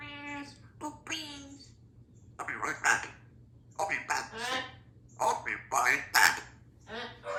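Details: Female two-year-old Congo African grey parrot, kept as a pet in a country home and said to be very happy, talking in clear humanlike words and short phrases with rich harmonic tones, separated by brief pauses, with background music.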